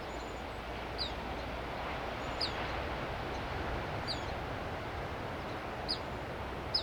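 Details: Perched on arroyo willow at Asilomar Dunes, California, a Black phoebe gives five or six sharp, high, falling chips at uneven intervals, over a steady low rushing noise.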